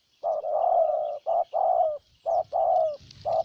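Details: Spotted dove decoy from Ninh Thuận, Vietnam, working to win over a wild dove: a long rolling coo, then two pairs of a short coo and a longer slightly falling coo, and the start of another.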